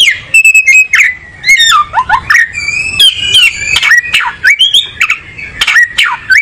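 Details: Songbird known as kacer, the oriental magpie-robin, pouring out fast mixed phrases: bright whistles, sharp upward flicks, swooping downward notes and scratchy rasps, nearly continuous over several seconds.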